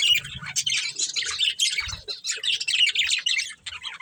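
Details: Chirping from a budgie breeding pair, a busy run of rapid high squeaky notes and chattering warble with short gaps, plus a couple of soft low knocks early on.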